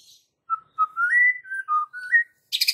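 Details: Calm yet sharp white-rumped shama lure song meant to provoke young fighter birds: a sequence of mellow whistled notes stepping up and down in pitch, ending with a sudden burst of dense, high, scratchy chatter.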